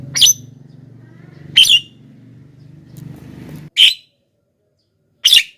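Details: Javan myna call used to lure wild mynas: short harsh broadband notes spaced irregularly, about one to two seconds apart, over a low steady hum in the first part.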